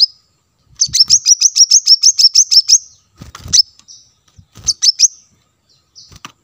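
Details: Lure recording of a plain-throated sunbird (kolibri kelapa) for drawing in wild birds: a rapid run of about a dozen high, sharp notes, then shorter clusters of two or three notes after brief gaps.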